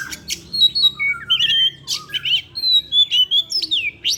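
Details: A kept Oriental magpie-robin sings in the afternoon, delivering learned phrases: long clear whistles, downslurred notes and quick twittering bursts in steady succession, with a faint low hum in the background.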